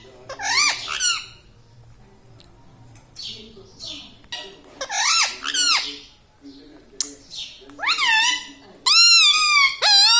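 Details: Pet Indian ringneck parakeet laughing and talking indoors: bursts of harmonic, wavering squawky phrases with rising and falling sweeps, separated by short pauses, ending in longer sustained nasal notes.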